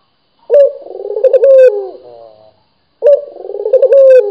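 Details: Indonesian local dove cooing loudly and often: one full rolling coo with a quick sharp start, a vibrating middle and a long sliding close, then the start of a second coo after a short pause.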